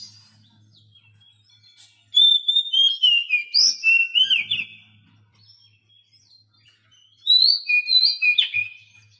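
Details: Oriental magpie-robin singing, a recording for training quiet captive birds: a burst of clear, swooping whistles, a pause, then a second shorter burst of rising and falling notes.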